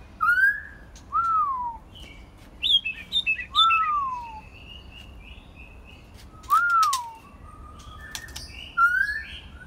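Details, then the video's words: On a quiet evening a first-molt white-rumped shama sings loud whistled arched phrases, each rising then falling, repeated every couple of seconds, with quick higher chips and a few sharp clicks between them. "White Rumped Shama- quiet evening"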